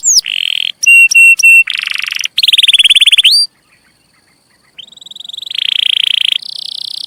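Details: Canary song meant as tutoring for young canaries, with rolling passages and fills borrowed from other birds: blocks of fast buzzy rattles and dense trills, a brief pause, then high sustained buzzy trills resuming at changing pitch.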